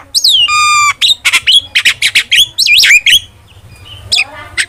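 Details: Starling singing for training: a long nasal buzzy note, then a rapid string of sharp whistles and looping upslurred notes, fading into soft scratchy sounds.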